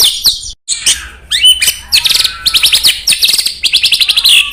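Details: White-rumped shama song played before a contest to provoke rival birds: loud, high buzzy trills and rapid repeated notes, varied sweeping whistles, with a brief pause near the start.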